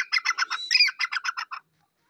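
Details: Black francolin from Pakistan gives a fast run of about ten grating, squawky notes lasting a second and a half, then silence.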